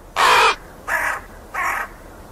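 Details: Crow giving three harsh, hoarse caws in quick succession, the first longest and loudest, the next two shorter and spaced about half a second apart, with a quiet background.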